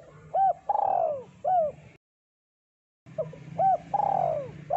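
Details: Spotted dove song from a deep-voiced, actively singing lure bird. Two low phrases are separated by silence. Each has short bent notes around a long, drawn-out coo that slides downward, over a faint low hum.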